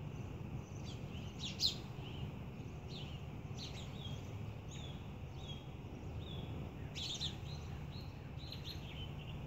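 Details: Eight-week-old Northern bobwhites finding their voice, before they have given the regular bobwhite call, answer a played bobwhite recording with alert, thin, high chirps and short sliding peeps, scattered every second or so, over a steady low rumble.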